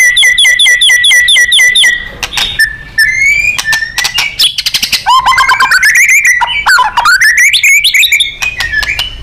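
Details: Contest-bird training song of a murai batu (white-rumped shama), gacor and nembak style: opening string of seven evenly repeated sharp chips, then ticking rattles and rising whistled phrases climbing in pitch.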